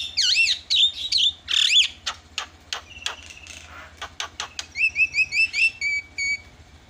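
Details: Lure calls of a Javan myna, played to make other birds call: swooping whistled phrases and raspy clicks, then a run of short, sharply rising whistles repeated about twice per second.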